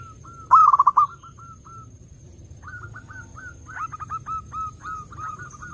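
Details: Zebra dove song meant to attract other doves: one loud rolling burst of cooing notes, then several quieter strings of short repeated coos from more distant doves.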